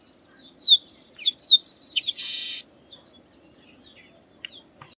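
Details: Singing chestnut-capped blackbird in the sertão of Bahia, Brazil: downslurred whistles and quick chattering notes lead into a long, harsh buzzy rasp, followed by faint calls.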